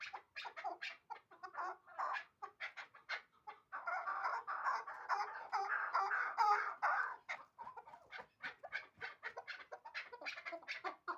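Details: A hybrid chukar partridge, hatched the year before, repeats coarse chuk notes at a fairly even pace, swelling midway into a thicker, continuous rattling phrase before breaking back into single clucks.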